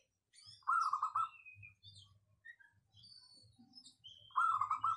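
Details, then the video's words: Locally bred zebra dove singing two crisp, rapid stuttered coo bursts about four seconds apart, with faint high chirps from other birds and a soft low hum between phrases. "Perkutut lokal suara cristal padet"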